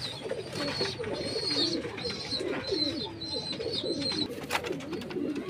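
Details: Jacobin pigeon cooing in a continuous string of short, gurgling, up-and-down notes, while a lively chorus of high sparrow-like chirps runs above and a sharp knock sounds near the end.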